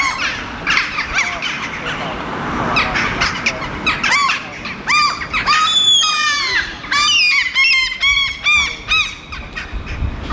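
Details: Two Eurasian jackdaws feed on grass seeds and handle moss clumps on the ground in Helsinki, Finland, July 2015. Loud, clipped, nasal calls come in quick, uneven runs of arching notes, denser in the second half.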